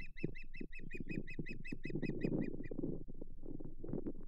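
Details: At the Hog Island Osprey nest on 7 May 2023, with mating and fish delivery, a quick string of piercing whistled chirps runs for under three seconds, then stops, against loud low rumbling.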